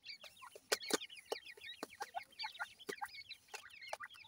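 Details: Grey francolin chicks feeding, a crowd of thin, high peeping calls overlapping continuously, with sharp clicks from pecking scattered throughout.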